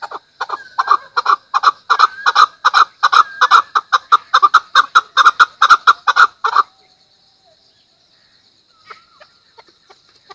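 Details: Chukar calling: a loud, rapid run of harsh clucking chuk notes for about six seconds, then it breaks off into near silence with a few faint scattered notes.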